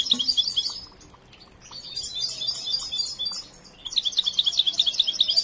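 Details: Still in training, a young European goldfinch bred in captivity sings twittering, jingling phrases, pauses with soft scattered notes, then bursts into a quick series of bright repeated chips.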